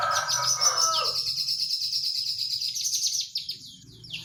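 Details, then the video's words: Olive-backed tailorbird in rapid 'nembak rapat' delivery: dense high chipping notes in a quick stream, with a lower, richer chattering sound at the start and a faint low hum underneath. "prenjak lumut nembak rapat"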